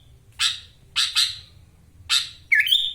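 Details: Caged sooty-headed bulbul, Wonosalam in East Java, gives rasping broadband chacks in quick succession, then a dipping note rising into a clear sustained whistle.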